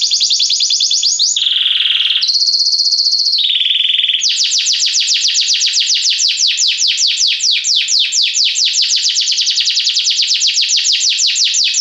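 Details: Belgian canary singing continuously: a brief rolling trill, a pair of long level tones, then a long, very rapid rattling trill of even, repeated notes.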